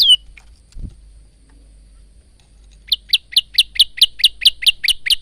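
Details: Phone-recorded male bar-winged prinia with varied song: a single high note, silence with a soft thump, then a fast even run of about twelve clipped high chips.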